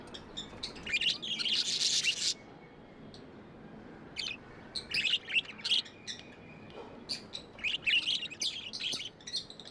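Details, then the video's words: Tamed budgerigars chirp and warble, a loud harsh squawky burst at the start, then scattered sharp clicks and short chirps over quiet hiss. "Budgies amazing love & chirping sounds"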